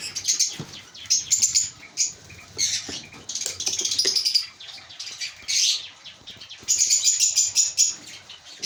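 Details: African lovebirds in a breeding colony chatter with dense, shrill, high chirps and squeaky twitters overlapping in bursts, with occasional wing flutters.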